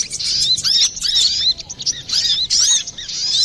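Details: Brown-throated sunbird in a lure recording used to attract or train birds, described as busy and clear-voiced: rapid, high, thin twittering with quick squeaky slurred notes in dense bursts and brief pauses.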